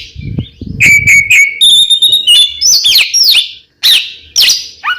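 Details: Oriental magpie-robin song used as a lure for caged birds: a low thumping noise opens, then a long piercing steady whistle, followed by sweeping up-and-down whistled notes and brief chatters.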